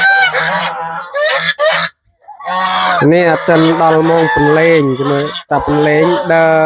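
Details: A flock of domestic geese on a small farm honks loudly while being fed banana stalk and rice bran in the evening; rapid, rough, repeated honks run almost without a break after a brief silence.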